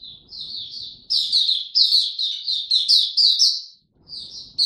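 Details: Oriental white-eye kept as a song bird, being brought into form, singing in the buka tiong aw style, recorded 3 January 2022: high, sweet twittering phrases in quick runs, a brief pause, then singing resumes.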